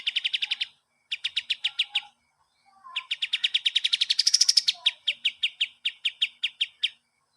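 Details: Kapas tembak master song for cage birds: repeated series of crisp, high-pitched chip notes in quick succession, separated by short pauses, with one extended run swelling higher before settling back into evenly spaced chirps.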